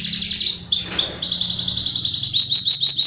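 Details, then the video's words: Canary from Pecangakan, Comal, Pemlang, Central Java, Indonesia, singing loud, high, fast rolling trills of rapid repeated notes, some rising slurs, with a brief lower rattle near the start and faint low background hum. "Bikin Ngiler Kenarinya"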